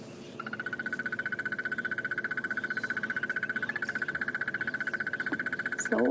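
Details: Crested Barbet hidden in a tree on a sunny, hot February morning bushwalk in the African bush: a long, even, rapid trill on one mid-high pitch, over five seconds in one breath; a faint voice follows.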